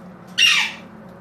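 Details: A single loud, raspy squawk from a pet Blue-crowned conure indoors, short and broadband, fading quickly, with quiet room noise before and after.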